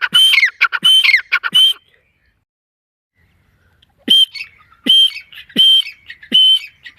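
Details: Forest partridge (teetar) calling: a burst of three harsh ringing phrases, a two-second quiet gap, then four more loud, evenly spaced calls, each a bright high note followed by grating lower pulses.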